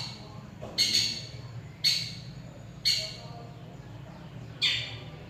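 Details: Long-tailed shrike, a bird that copies other species' songs, uttering four loud, rasping, screechy bursts spaced about a second apart over a low background hum.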